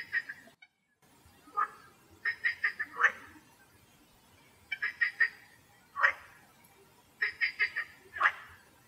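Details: In Greece, a wood sandpiper gives quick bursts of three or four sharp, whistled notes, then a single down-slurred note, bursts every two to three seconds over a quiet background.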